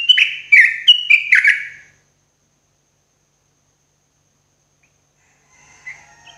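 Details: Yellow-vented bulbul's morning song for cage-bird therapy: four quick chattering whistled phrases with falling slurs, then silence and a faint distant note near the end.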